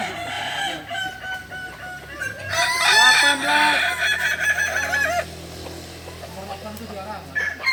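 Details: Balenggek roosters at a practice crowing contest in Ampang Kualo, Solok city, West Sumatra, Indonesia; several loud, overlapping multi-note crows rise and waver over a low steady hum, with a voice calling out counts.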